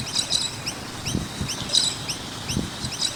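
Noisy miners give quick, high chirps and short rising notes in loose bursts, with several birds calling over low background rumble.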